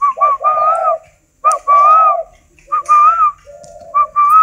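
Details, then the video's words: Captive spotted dove of the yellow-necklace 'cườm vàng' type, kept for breeding and training: low, hoarse coo phrases alternating with clear, higher whistled notes that rise and fall, repeated in short bursts with brief pauses. "chim cu gáy"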